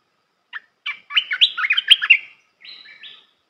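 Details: Red-whiskered bulbul song played to train young birds: a few single chirps lead into a rapid, bright, tumbling warble, followed by a softer two-part whistled ending.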